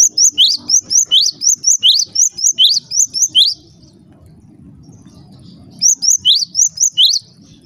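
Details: Java sparrow calls that reportedly stir other Java sparrows into calling: rapid runs of high, bright chirps, each note a quick rising-then-falling slur, two bursts of about twelve notes separated by a brief pause.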